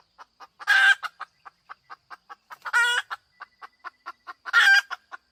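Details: Female chicken clucking in quick, uneven bursts, punctuated by three loud, raspy, stretched-out squawks spaced about two seconds apart.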